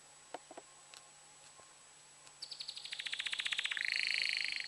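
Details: A tamed, excited male canary sings to prepare females for breeding. After faint clicks, a fast trill of rapid repeated notes begins, then shifts into a denser buzzy roll.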